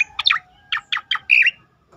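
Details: Short burst from a striated grassbird, song used to train and provoke other birds: a few harsh, clipped chirps spaced evenly, ending in a brighter whistled trill.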